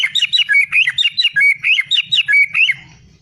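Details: White-rumped shama delivering a lively, continuous string of bright whistled notes, each rising and bending, repeated rapidly in a varied pattern before fading out with a faint low rumble.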